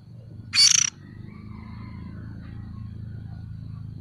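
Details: One loud, harsh, buzzy screech from a young oriental magpie-robin kept as a lure, followed by a steady low rumbling hum.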